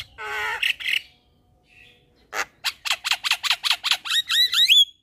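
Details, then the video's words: Javan myna in energetic full-fill song, used as a lure for all kinds of mynas: a harsh wavering squawk, then a quick run of about a dozen dry clicking notes ending in rising, bending whistles. "JAlak kebo GAcor Full Isian Masteran Jalak Kebo - PAncingan Semua Jenis Jalak"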